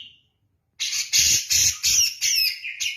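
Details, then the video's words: Grey-cheeked bulbul from Java singing insistently like kapas tembak: a faint whistle, a pause, then five loud, harsh, rasping bursts in quick succession. "cucak jenggot jawa gacor ngotot seperti kapas tembak"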